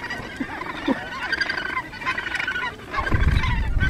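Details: Australasian gannets at the Cape Kidnappers colony, New Zealand, give harsh, grating, overlapping calls as mates return and greet and preen each other beside chicks, with wind rumble and people talking nearby.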